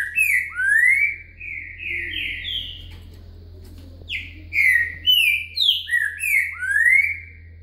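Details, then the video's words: Green-winged saltator, song style "boca mole com virada", recorded as a singing lesson: two phrases of clear, slurred whistled notes, each phrase closing with a long upward slide, a pause between them, soft low hum throughout. "Aulas de canto Trinca Ferro Boca Mole com Virada"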